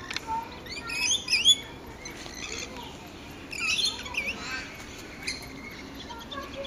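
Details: Rainbow lorikeet chatter: a rapid run of shrill, high, squeaky screeches and twittering notes in two bursts about two and a half seconds apart, with softer chirps between them over a faint background hiss.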